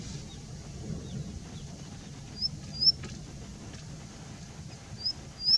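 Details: Indian bushlark vocalizing from a rock at Jayamangali, India: a few thin, very high upslurred notes, short and sharp, scattered over several seconds above a steady low rumble of background noise.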